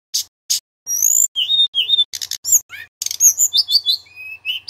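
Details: Loud song of a male Sunda robin used to tutor young magpie-robins: short sharp chips, then sliding whistles, a buzzy rasp and a run of bright warbled notes ending in a steady thin whistle.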